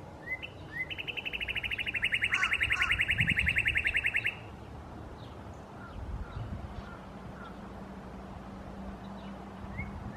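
Northern Cardinal sings a fast, even trill of bright repeated notes lasting about four seconds. Faint scattered chirps and a low steady hum follow.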